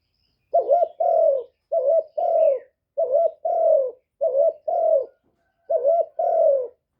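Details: Spotted dove lure call for drawing in other doves, recorded in quiet: repeated two-part coos, short note then sustained descending note, about six phrases back to back.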